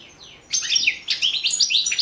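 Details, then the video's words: European goldfinch singing for a 2017 world goldfinch song championship entry: after a soft lead-in, a rapid stream of bright twittering chirps and short buzzy trills. "World championship in Goldfinch Song 2017"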